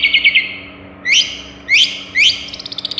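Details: Long-tailed shrike, a Madura cendet, singing a varied song that mimics other birds such as sparrows, prenjak and cililin: a quick buzzy trill, then three loud upward-sweeping squeaky notes, ending in a rapid run of light ticks.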